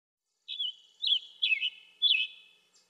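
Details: Scarlet tanager singing four hoarse, burry slurred phrases at about half-second intervals, each a quick rough warble, in an otherwise quiet setting.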